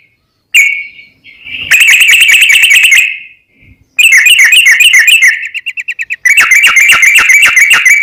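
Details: Sooty-headed bulbul singing constantly in a long rapid roll, used as a lure to provoke another bird to sing: loud, harsh, fast-pulsed chattering bursts, three long runs separated by brief gaps.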